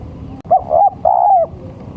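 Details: Male spotted dove call used as a lure for catching doves: two soft, low, slightly arched coos, each about a third of a second long, with a short gap between, over a steady background hum.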